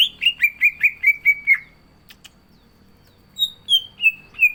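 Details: Green leafbird kept in a cage, in energetic song filled with imitations: a quick run of seven descending whistles, a pause with soft clicks, then four higher falling whistles.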